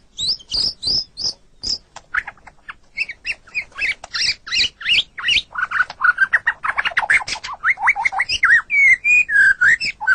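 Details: Murai batu, or white-rumped shama, song as masteran training for pet songbirds: high sharp whistled notes, then a fast, varied jumble of chattering and squeaky phrases that becomes denser, ending in slurred whistles.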